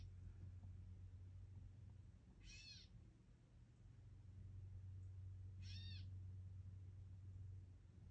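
Gray catbird giving two harsh, cat-like mews about three seconds apart, each slurred and nasal, over a steady low rumbling hum.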